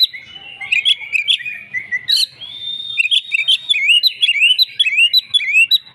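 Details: Oriental magpie-robin, a fighter bird, singing an agitated fighting song in reply: varied loud whistled phrases, slurred rising and falling notes mixed with sharp high chips and a harsh burst, continuous and rich, in a quiet room.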